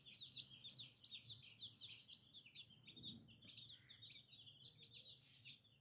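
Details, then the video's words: Several baby chicks chirp continuously with short, high, slightly falling peeps packed closely together. A soft low thud is heard midway. "Chicken Free Sound || Funny Chicks baby"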